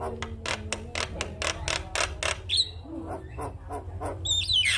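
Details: Javan myna morning lure song: fast, evenly spaced harsh pulses at the start, then mixed squeaks and a bright descending whistle, with a persistent low hum.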